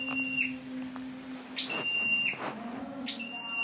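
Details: Scarlet-backed flowerpecker lure bird, dated 12/10/14: two or three clipped high phrases, a rising flick then a steady thin whistle, heard against a noticeable low droning hum.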